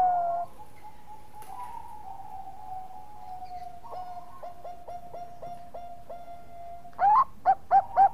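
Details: Bangkok-type zebra dove lure song: a long faint tone with soft clipped notes, then several loud short coos near the end, each with a slight upward lift.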